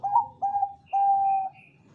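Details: Bangkok zebra dove, a big-voiced singer used as a lure to set other doves calling: two short mellow coos followed by one long, steady, level coo, clean and loud against a quiet background.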